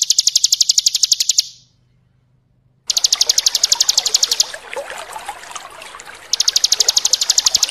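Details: Bar-winged prinia giving its rapid ngebren song, a fast run of sharp high ticking notes repeated about ten times a second, broken by a pause and then resuming, with trickling water heard between the runs.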